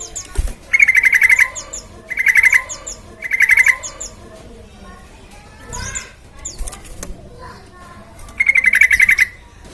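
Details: Yellow-vented bulbul (trucukan) song used as a lure to get other birds singing: four bubbly, buzzy chattering bursts near one pitch, each under a second, separated by pauses of about a second, with faint clicks between.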